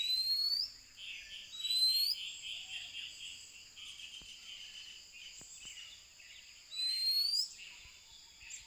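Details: Oriental magpie-robin (Copsychus saularis) in Sri Lanka giving clear, high whistles that sweep upward, three phrases spaced a few seconds apart, over a steady background hiss of insects and distant birds.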